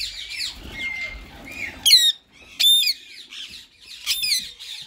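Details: White male and green ringneck parakeets in talking mode: soft, wavering chatter and a thin drawn whistle, then three loud, harsh, ringing squawks at about one-second gaps.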